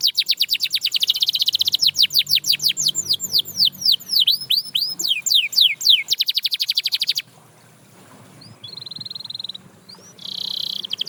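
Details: Canary song meant to set other canaries singing: rapid repeated sweeping notes, slowing into broader downward slurs, then a quick trill. After a pause come short buzzy held notes.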